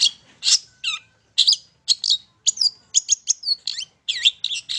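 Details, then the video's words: Singing long-tailed shrike, heard in lure audio meant to trigger song. Scratchy bursts mix with ringing whistled notes and swooping slurs, delivered in quick, uneven phrases. "PANCINGAN TERBAIK!!! CENDET MAIN SATU TITIK"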